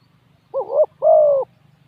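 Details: A single phrase from a decoy spotted dove calling to draw in wild doves: a short wavering coo, then a longer even coo, over a faint low hum.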